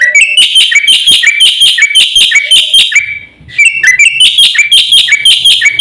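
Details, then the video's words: Energetic Javan white starling master song: rapid, loud, squeaky whistles and harsh notes run continuously, a short break near the middle, then the same busy phrase resumes. "suara masteran jalak putih gacor full isian"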